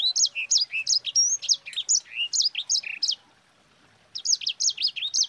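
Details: Sanger rolling out a long, fast warble for training other birds: high twisting whistles and dipping slurs in quick succession, a short pause, then the rapid phrase resumes.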